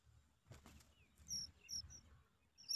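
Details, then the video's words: Oriental magpie-robin nestlings give thin, very high squeaks in short bursts about every half second, after a brief rustling or flapping noise. "Oriental magpie-robin bird babies"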